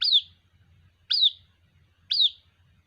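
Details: Three piercing downslurred peeps, about one per second, as a young white-breasted waterhen calls to its mother over a soft low rumble.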